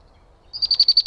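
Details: Bird in a Minnesota backyard, caught on a trail camera: a short, high, even trill of rapid repeated notes starting partway through, after near silence.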